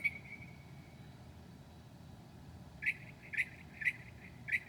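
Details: Northern mockingbird singing at 2 a.m. on 7/9/2008 and mimicking other birds: a long steady whistled tone fades out, then after a pause four short sharp notes come about half a second apart over a low background hum.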